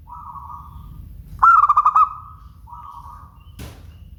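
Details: Perkutut, a local zebra dove, cooing: a level mellow note, then a loud burst of rapid pulsed coos trailing into a long steady tone, another soft coo and a short click at the end.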